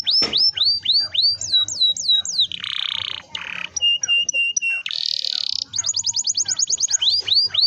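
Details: Canary song with long rolls, meant to prompt young canaries: hooked sweeping notes, harsh buzzy bursts, paired steady whistles and a fast high trill follow one another, loud and dense; faint low hum beneath.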